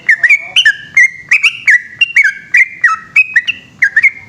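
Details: Long song of a yellow-vented bulbul at night, a fast run of clear liquid whistled notes that flick up and down, delivered continuously about three or four per second with no other sounds.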